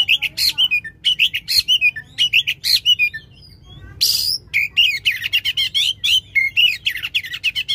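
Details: Loud Oriental magpie-robin song of long shot phrases, meant to stimulate a magpie-robin that has stopped singing. Fast, sharp, high chirps and twittering notes come about twice a second, with a brief pause and a harsh rasp midway.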